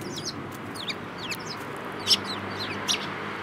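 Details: Several sparrows chirping, short sharp downward notes overlapping in a loose chatter, one louder chirp standing out, over a low hum.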